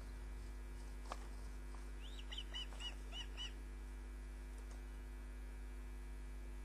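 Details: Osprey at the nest, heard through a live nest camera on the night of 29 June 2010, 22:34: a brief burst of about five clipped, high chirps after a knock, with a steady mains hum throughout.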